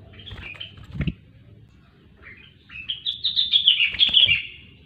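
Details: Grey-cheeked bulbul, locally rengganis, singing: a short high phrase with a knock, a pause, then a long rising run of quick bright notes over faint low humming.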